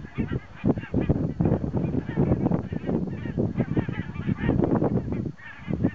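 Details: Thousands of migrating geese resting at Hjälstaviken lake near Stockholm, Sweden, on a very windy 22 September 2009, honk continuously in an overlapping nasal clamour over strong wind rumble; species possibly include Bean, Pink-footed, Barnacle and White-fronted Geese.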